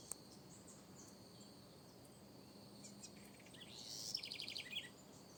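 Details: Backyard house wren giving a brief fast trill of high repeated notes late in the recording, after several seconds of steady insect buzz and scattered faint chirps.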